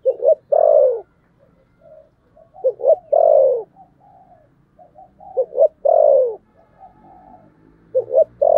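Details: Spotted dove, 'thổ sấm' voice, giving repeated thúc gù coo phrases: each a quick doubled note followed by a full, downward-bending coo. Four such phrases come roughly every two seconds, with soft murmurs between and a faint low hum.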